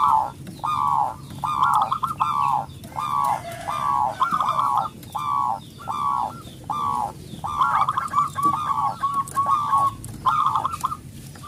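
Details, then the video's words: Zebra dove of local stock, a loud, eager singer kept to coax quiet doves into song: steady run of rounded, rolling coo notes repeated over a second apart, even in pitch, over low background rumble. "perkutut lokal gacor suara besar"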